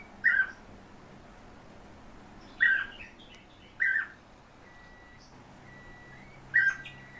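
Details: European bee-eater bred in captivity at home: four short, rolling chirped calls at irregular intervals of one to three seconds, with faint level tones and low background hum between them.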